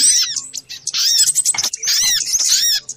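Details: Shrill overlapping chatter of little spiderhunter, a noisy lure compilation: fast squeaky curved notes crowded together, pausing briefly midway.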